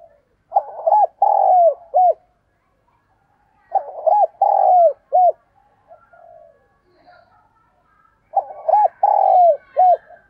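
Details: Decoy spotted dove calling to lure and provoke wild doves: three low cooing phrases, each a pair of short hooked coos, a long falling drawn-out coo and a short final note, repeated roughly every four seconds, with faint soft notes between.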